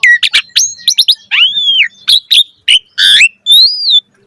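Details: Asian pied starling (jalak suren) pouring out a varied, energetic song: quick chirps, an arched whistled note, harsh buzzy bursts and a rising-falling whistle, separated by short pauses.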